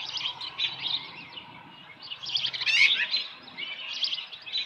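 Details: Ranch osprey nest on the morning of 13 July 2018 with a small live fish; continuous soft, high chittering with one louder, harsher squeal midway.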